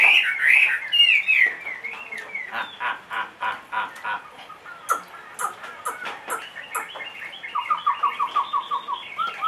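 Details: Caged Chinese hwamei, two and a half years old and large-bodied, singing: loud warbled whistles open, then a run of short repeated notes, sharp clicks, and a fast even series of about a dozen identical notes near the end.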